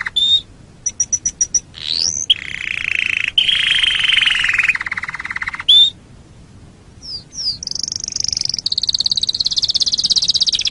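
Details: Canary master song for training birds, with pauses between phrases: brief chip series, a long lower rolling trill, then high rising notes and a buzzy high trill.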